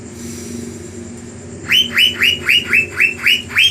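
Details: Asian fairy-bluebird, known locally as cucak biru, gives a fierce 'gacor' lure song to stir up rival birds. Low background hum at first, then eight loud, evenly spaced upward-slurred notes.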